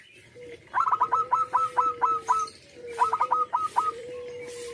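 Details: A local zebra dove with a big voice sings two bursts of rapid, staccato rolling coos, each trailing into a soft, long, low hum, with a faint steady background hiss.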